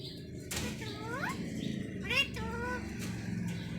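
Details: Green Indian ringneck parakeet kept as a talking pet, uttering a few clear voice-like syllables with upward-curving pitch, spaced about a second apart, over a steady low room hum.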